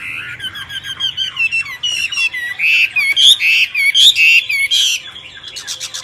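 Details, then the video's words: Myna pouring out squawky, nasal notes and curved whistles in bursts, with rattling clicks near the start and at the close. "طيور البرية غريبة التغريد و من بينهم طائر المينا"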